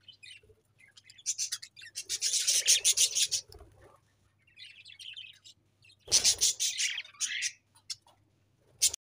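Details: Several budgerigars chirping together in quick, rasping warbled bursts of high notes, pausing briefly before another loud chattering run and a final sharp chirp.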